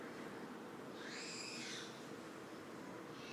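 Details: A pet bird indoors gives one squeaky call under a second long that arches up and back down, over a steady background hiss, as a person talks about being bitten. A fainter call starts at the very end.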